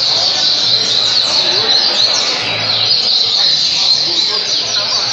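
A double-collared seedeater sings a rapid, continuous stream of high, twittering and buzzy notes with no breaks. A faint low murmur sits underneath.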